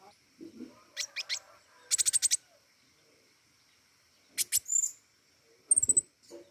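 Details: Busy, vigorous pentis raja flowerpecker mixing rapid rattling series of sharp high ticks, doubled chips and a short high descending trill, with some softer lower sounds between bursts.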